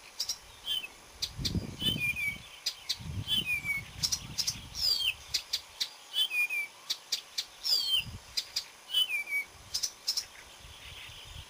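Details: Marsh warbler song recorded 30 May 2010, a busy stream of rapid dry clicks mixed with short rising and falling whistles and chattering notes, with soft low rumbles in the background.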